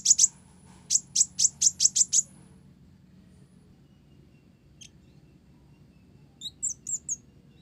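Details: Song of a Blorok olive-backed sunbird tutored with Java sparrow phrases: a rapid series of seven or eight very high, clipped notes, a long silence, a single tick, then a short cluster of bright chirps.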